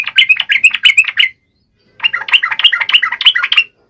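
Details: Bubbly, quick-fire chatter from a yellow-vented bulbul in 'gacor' song, played to get lazy males singing; two dense phrases separated by a short gap.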